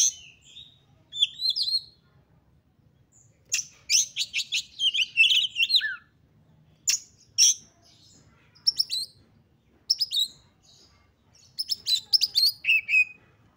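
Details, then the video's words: Excited oriental magpie-robin song meant to stir other magpie-robins to sing: bursts of rapid high chirps and rich warbled phrases, some falling whistles, separated by silent gaps of one to two seconds. "KACER GACOR FULL EMOSI TINGGI// JOSS UNTUK MENDONGKRAK KACER LAIN AGAR CEPAT EMOSI DAN GACOR FIGHTER"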